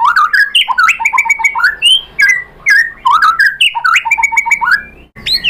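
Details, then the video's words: White-rumped shama song played as a lure for other shamas: rich, fluent phrases of rising and falling whistles and warbles, repeated in similar patterns about every one and a half seconds with short pauses. "MURAI BATU jadi ikutan NYAUT GACOR BONGKAR MATERI ISIAN ¦ PANCINGAN MURAI ¦ SHAMA BIRD"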